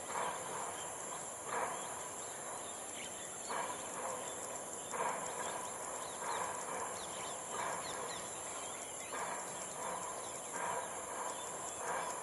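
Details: Ruddy-breasted crake at Jurong Lake Garden on 18 June: short, hard, mid-pitched notes repeated about every one and a half seconds over a steady high hiss of insects.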